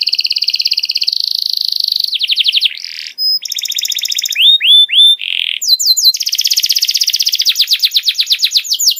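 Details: Song used to tutor juvenile canaries: a steady fast trill, sweeping rolls, a brief break, buzzy trills and rising slurs, then long runs of quick falling notes.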